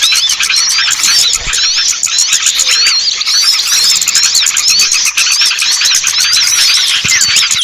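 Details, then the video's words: Lure call for small birds that are hard to bring down, a packed chorus of high twittering and looping whistled notes from many birds, with a fast, even clicking throughout. "Suara Pikat burung kecil yang susah turun"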